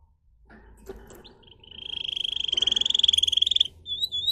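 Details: Pet singer canary in song training, giving a long rising rolling trill over a low background rumble and soft clatter, followed by a few short high notes.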